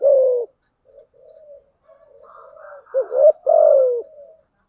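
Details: Female spotted dove decoy coo for luring doves: an opening falling coo, soft low murmuring notes, then a stuttered pair of notes and a long sliding coo, no other sounds.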